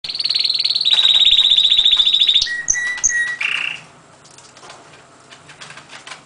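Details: Canary singing loudly: long, rapid, buzzy trill rolls at high pitch for over two seconds, then a few clear whistled notes and a short harsh burst, ending after about four seconds, followed by steady background hiss.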